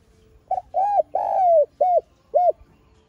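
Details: Spotted dove cooing in a lure recording of the calling and urging style, used to stimulate caged doves to call: five hooked, hollow coo notes, the middle one long and drawn out, over a quiet background.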